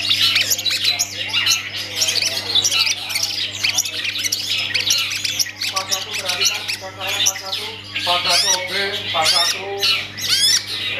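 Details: Long-tailed shrike kept in a cage, delivering a dense, scratchy medley of harsh squawks, chattering trills and high thin whistles that shift rapidly in pitch, over a constant low hum.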